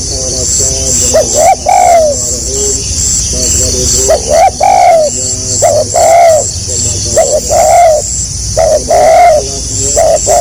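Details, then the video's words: Spotted dove singing in the gagap rapat selang nguku style, recorded in 2020: short stuttering coos repeated in close succession, each swelling and then falling, over a steady high hiss and a busy noisy background. "SUARA BURUNG TEKUKUR GAGAP RAPAT SELANG NGUKU 2020."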